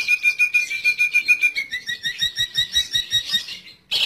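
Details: Long-tailed shrike lure call for trapping: a steady whistled tone under quick pulsing notes that shifts higher midway, then stops with a brief harsh burst.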